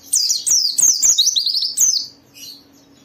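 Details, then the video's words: Loud, dense white-eye twittering for two seconds, with quick, high, descending chirp notes in close succession, then a quieter trailing phrase over a faint hum. "Suara burung Pleci ini Ampuh memicu semua Pleci cepat Buka Paruh dan gacor"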